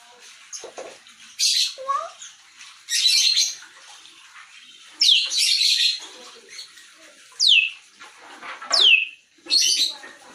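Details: A talking grey parrot gives a string of hissy, breathy bursts and sharp down-slurred whistles, about one every second or two, with a quieter low whistle early on.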